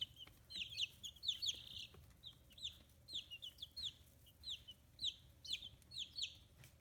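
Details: Feathering fifteen-day-old chicks on a free-range poultry farm in Hiroshima Prefecture, Japan. Overlapping thin, down-slurred peeps arrive in small groups about every half second across the whole stretch.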